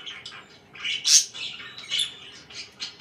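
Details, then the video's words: Morning chirps from pet budgies: a few harsh, scratchy squawks and high twittering notes in brief bursts. "CHIRPING IN THE MORNING"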